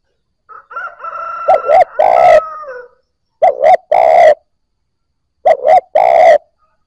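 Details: Spotted dove coos used to rouse newly caught birds. A high wavering whistle overlaps the first phrase, then two more clear phrases of two short notes and a long rolling coo follow.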